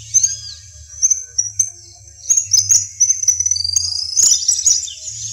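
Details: Western yellow wagtail (Motacilla flava) in the savanna region of Corozal, Sucre, Colombia, gives thin, high sweeping call notes in short bursts, with a brief rapid twittering run midway over a low steady hum.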